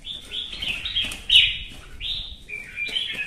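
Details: Red-whiskered bulbul in competitive song, somewhat softer: high whistled and slurred phrases with one louder peak and a short downslurred note late on, against a low rumbling background.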